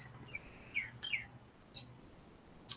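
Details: A Northern Cardinal outside, heard from indoors on a Thursday morning, 25 July 2024, gives a few faint, quick slurred chirps at irregular intervals over a low indoor hum, with a sharp click at the end.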